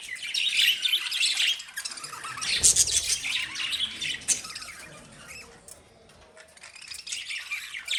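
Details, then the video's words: Lovebirds chattering almost continuously, with high, scratchy chirps and squeaks that rise and fall in loudness, ending in a brief quieter lull before resuming. "Love Birds Sound Relaxation"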